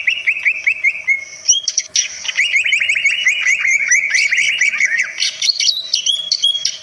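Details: Greater green leafbird singing a varied song said to provoke other birds: rapid chattering phrases and sliding whistled notes, dense twittering runs in the middle, over a faint steady background hum.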